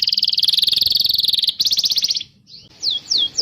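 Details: Canary song played to encourage young canaries and non-singing birds: a dense rapid trill for about two seconds, a short pause, then three sharp descending whistled notes.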